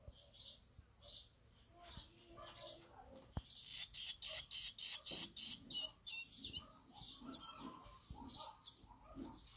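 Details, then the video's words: Hungry swallow chicks waiting for fresh food: shrill, high chirping bursts several times a second, swelling midway into a dense, loud begging chorus, then easing back into spaced chirp bursts with fainter lower calls beneath. "Hungry Swallow Chicks waiting for fresh food"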